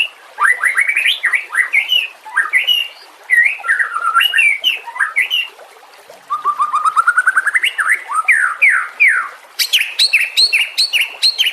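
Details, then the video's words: Master song of a white-rumped shama used to tutor other songbirds: swooping whistled notes, then a long run of quick rising notes climbing steadily in pitch, ending in sharp high chattering. "Suara kicau burung murai batu. Masteran buat:cendet plentet trocok cucak ijo rowo jalak."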